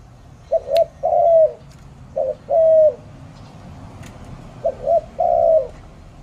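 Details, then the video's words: Spotted dove from Malaysia giving soft, low cooing phrases: two short quick notes, then a longer drawn-out coo, repeated three times with brief pauses; a couple of faint clicks in the background. "Spotted Dove"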